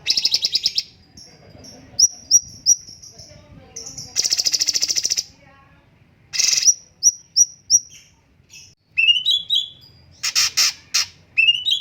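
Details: Straw-headed bulbul delivering short thin whistled notes in quick series, broken by dense buzzy bursts and ending with rising and falling chirped phrases.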